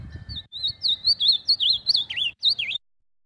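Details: An ultramarine grosbeak (Cyanoloxia brissonii) sings a rich, warbled run of high whistled notes that slide up and down for nearly three seconds, with faint low thumps beforehand.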